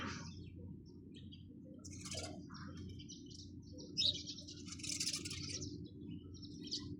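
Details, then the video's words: Chirping sparrows giving bursts of sharp, high tweets that cluster into busy chatter midway, set against a constant low background drone. "চড়ুই পাখির কিচিরমিচির শব্দ Chirping sound of sparrows"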